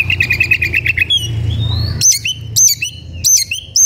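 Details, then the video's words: White-rumped shama in an aggressive mood, looking for a rival: quick repeated chattering notes give way to a rising whistle and bold, high looping phrases, with a constant low hum underneath. "KACER EMOSI CARI LAWAN/ Suara kacer gocor dan emosi cari lawan tarung"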